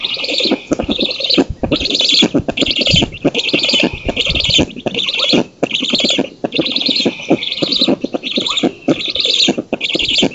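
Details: Black storks at a nest in an oak in Poland, 19 June 2017, during feeding by the female and the driving off of an intruder, give harsh, wheezy, hissing bursts about every second and a half with high rasping overtones.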